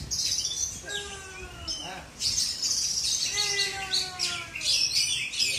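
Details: Oriental magpie-robin at a bird singing contest in Aceh, Indonesia, pouring out a fast, dense song of high sweet whistles, buzzy trills and chattering notes, with a series of lower descending whistled phrases below; background chatter and other birds are audible.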